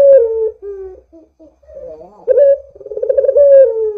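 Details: Barbary dove calling to lure other doves into song: a falling coo, a short quavering wavering note, then a pulsed rolling coo that rises and glides down.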